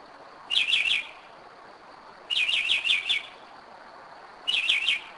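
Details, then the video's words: Nocturnal Northern mockingbird song at 2am, Kennesaw, Georgia, 2011, from a bird back at its usual spot: three matching bursts of quick twittering high notes, roughly one every two seconds, over a quiet night background. "Mockingbird 2am 2011"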